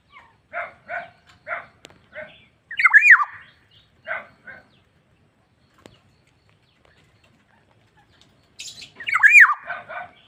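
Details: ['Black-naped oriole calling vigorously (gacor). A run of short, nasal, rasping notes is broken by a squeaky, wavering slurred call. A long silence follows, then a burst of harsh, squealing notes.']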